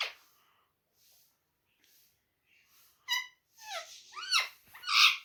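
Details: Pet parrot speaking Urdu/Hindi, mostly quiet at first, then loud harmonic arched syllables and a harsh, rasping squawk at the end.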